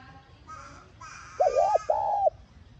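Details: Spotted dove cooing to trigger a decoy bird to call. Faint higher chirps come first, then one loud two-part coo: a short wavy note followed by a longer level one.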